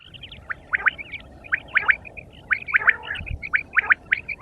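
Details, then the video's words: Quail calling in the morning: clear, liquid chirping phrases of short rising notes, grouped in bursts about once a second, with a soft thump midway. "sound of quail is the perfect clear sound for the morning"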